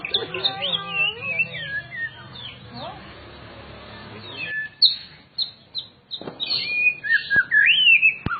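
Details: Kept White-rumped shama from a private collection delivering a long run of warbled, slurred whistles, then a pause with background noise, then sharp high whistles and sweeping notes with a few clicks.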